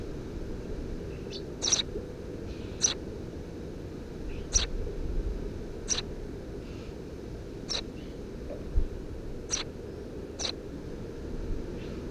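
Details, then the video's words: Short high chirps from Eurasian tree sparrow nestlings, three of them, nesting under the roof of a house in June 2017, come sparsely at irregular intervals above a constant low background hum. "Воробей полевой 170506 1 под крышей дома 20170602gp4k 3 чирикающие мордашки"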